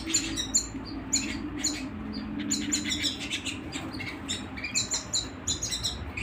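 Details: Canary song indoors: clusters of sharp, high chirps and brief trilled phrases repeated in quick bursts, with a faint low drone in the background.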